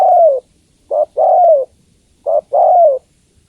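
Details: Spotted dove, a female calling a male: a long falling coo, then two phrases where a brief hoot leads into a sustained, downward-curving coo. The recording is clean.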